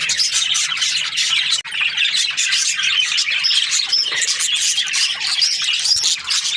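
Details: Breeding-season budgies of Australia keep up a steady high twittering chatter with short whistled notes and squawks, a momentary near-silent gap after about one and a half seconds.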